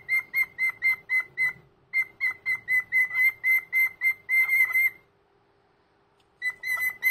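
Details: Senior cockatiel, a household pet, whistles its Sunday morning greeting in a small room, trains of quick bright notes at a constant pitch, a pause of over a second, then more whistling.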